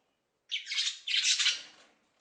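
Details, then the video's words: A parrot, one of the intelligent birds, some of which can imitate human voices, gives two harsh, raspy squawks back to back, each about half a second long, in a quiet setting. "some parrots have the ability to make sounds like human voices"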